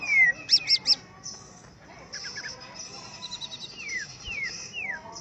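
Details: Greater green leafbird singing when faced with a rival: three sharp high notes, then buzzy phrases, a run of short whistles and several long downslurred whistles.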